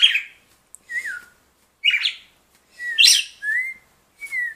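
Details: Red-cowled cardinal singing a slow, spaced series of clear whistled phrases, some slurred downward, some rising, with brief harsher notes between, each phrase separated by short pauses.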